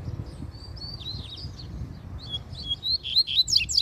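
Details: Double-collared seedeater singing in nature, a lively, fast series of high, sweet whistled and warbled notes that grows louder and more varied toward the end, over low background rumble.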